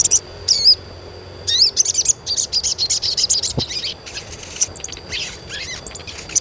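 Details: Asian pied starling giving lively chirps for training young starlings to sing: bursts of high twittering and squeaky, wavering whistles that run into an almost continuous rapid chatter, with short gaps between phrases.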